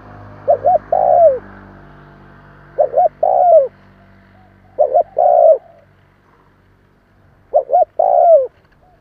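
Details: Spotted dove decoy calling to provoke wild doves: repeated coo phrases of two short clipped notes followed by a longer, drawn, slightly falling coo, roughly every two to three seconds, with a faint low hum behind.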